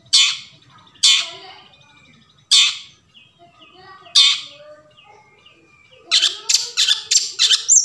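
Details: Long-tailed shrike (cendet) forest song used to stimulate shrikes that won't sing: four harsh rasping calls roughly a second apart, soft whistles between, then a fast burst of scratchy chattering notes.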